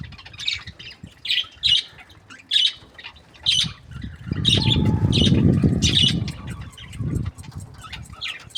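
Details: Budgerigar chirping: short bright chirps repeated roughly every second in a steady series, over a low rumbling noise that swells in the middle.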